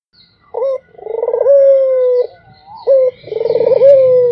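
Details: Barbary dove cooing steadily. A short bent note leads into a long rolling coo that wavers, then holds and slowly slides downward. Two such phrases, with faint background hiss.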